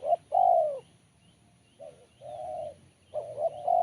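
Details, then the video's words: Spotted dove singing a crisp, sharp Kuk 1 style coo: a short note, then a long falling coo, repeated. Phrases are partly cut at the start and end, with a faint high chirp in the background. "Poin BL Kuk 1 Suara Mersik Tajam"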